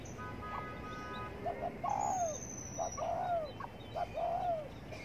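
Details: Spotted dove cooing while sunbathing in the morning: soft low hooting coos in short groups, separated by pauses, over a steady background hiss with faint higher bird notes.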